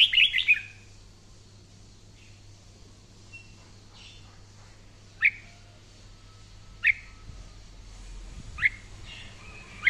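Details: Red-whiskered bulbul during daily voice training: a bright warbled flourish opens, followed by spaced single sharp whistled notes roughly every two seconds, with faint background hum.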